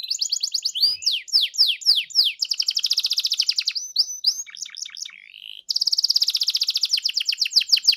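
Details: Canary song for triggering a canary to answer in full voice: rapid trills alternate with sharp descending slurs and short chips, a brief pause, then a bright, fast sustained trill.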